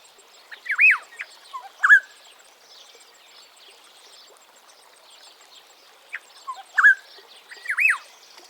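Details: African Black-headed Oriole (Oriolus larvatus) giving two short bursts of liquid, slurred fluty whistles about five seconds apart, with faint high chirping from other birds or insects behind.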